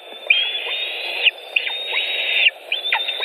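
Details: White-tailed eagles at their nest in Latvia on 5 July 2018, evening, with fish brought in: drawn-out high whistled notes about one second long, repeated with brief gaps, over soft rustling.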